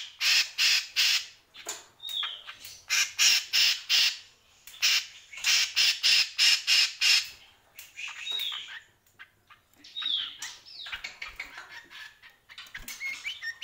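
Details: Greater green leafbird delivering rapid runs of harsh, rasping chattered notes, several per second, broken by a few slurred whistles, then softer scattered chips toward the end.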